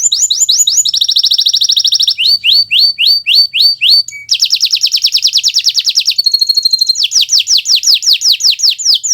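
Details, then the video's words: Kenari Nusantara canary delivering tutor song for other birds to copy: continuous high chattering trills, rows of rising whistled notes, rapid buzzy rolls and a brief piercing tone, phrases shifting every one to two seconds. "Suara Burung Gacoran Kenari Nusntara, untuk Masteran Belajar Bunyi"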